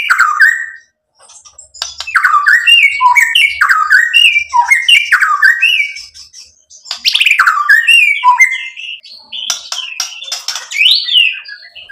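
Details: White-rumped shama singing a rich, varied song of whistled notes and sliding phrases, with rapid chattering bursts and sharp high clicks, in three long phrases separated by brief pauses.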